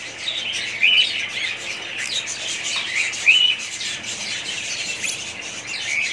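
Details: Family of budgerigar parrots in soft, busy twittering, with two distinct upward-sliding whistled chirps about two and a half seconds apart standing out from the steady chatter.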